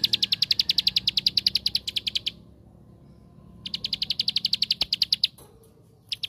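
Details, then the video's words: Bar-winged prinia (ciblek sawah) 'tembakan' song for provoking other prinias: two long bursts of quick, shrill ticking notes separated by a one-second hush, then a short fresh burst at the end. "Suara Tembakan Ampuh Untuk Pancingan Ciblek Sawah Anda"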